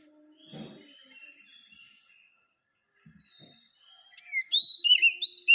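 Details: Masteran for caged birds of an Oriental magpie-robin: soft, distant warbling and a few low knocks at first, then a loud, clear series of rising and falling whistles at the end.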